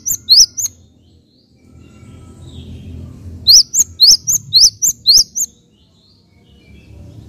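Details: Java sparrow sounds for stimulating other birds: three quick sharp chirps, a pause with low background rumble, then a run of eight rapid rising chirps alternating high and low.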